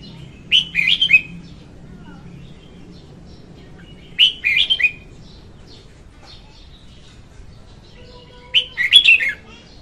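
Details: Female red-whiskered bulbul singing, a recording used as a lure for trapping birds: three short bright warbled phrases, each under a second, sliding down in pitch, spaced about four seconds apart over a low background hum.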